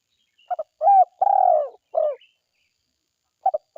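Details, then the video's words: Spotted dove in forest, calling energetically: a quick double note, a rising coo, then a long descending mellow coo and a shorter closing coo. After a pause, another double note begins a new phrase. "SUARA TEKUKUR DERKUKU GACOR HUTAN"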